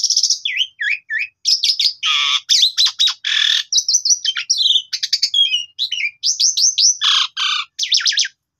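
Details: Asian pied starling in full varied song used as a lure for training: rapid mix of whistled upslurs, harsh buzzy bursts, clicks and downward-swooping notes, packed phrase after phrase with short gaps, clean with no background noise.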